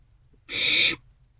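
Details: A single harsh, breathy screech, about half a second long, from barn owlets in a nest box as they pass a vole back and forth around 2 am on 27 March 2024.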